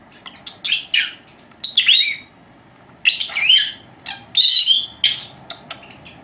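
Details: A pair of young female lovebirds, four months old, kept at home and napping, make rapid scratchy squeaks and twittering phrases in uneven bursts, some rising and whistle-like, with brief quiet gaps between.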